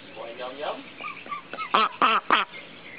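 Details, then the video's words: Backyard pet ducks give three loud, nasal quacks in quick succession, about a third of a second apart, after softer murmuring and a person's voice, showing how loud they are. "Ducks Quacking Loudly"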